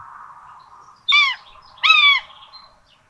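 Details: Common buzzards at a nest with two chicks in Tiszalök, Hungary, on 26 June 2022, rabbit brought for breakfast; two loud arched harmonic calls about a second apart, faint small-bird chirps behind.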